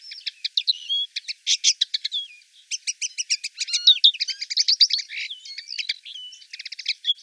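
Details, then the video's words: Common linnet in the town of Wittlich, 2018, sings a long, rambling twitter of fast chirps, trills and short nasal notes, high-pitched and unbroken for about seven seconds. "Bluthänfling, auch Hänfling oder Flachsfink"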